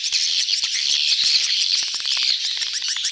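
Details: A mass of swiftlets in breeding excitement, a "betompok" lure call: a short, dense burst of shrill overlapping chirps with a few brief whistled notes riding on top.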